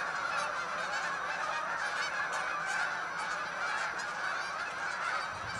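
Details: Hundreds of Canada geese taking to the sky as a flock; dense, continuous overlapping honking from many birds fills the whole recording without pause.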